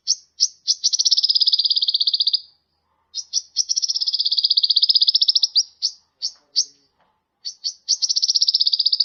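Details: High sunbird (kolibri ninja) song from a bird-training tutor recording: long, fast buzzy trills lasting a second or more, each led by a few separate sharp chips, repeated three times.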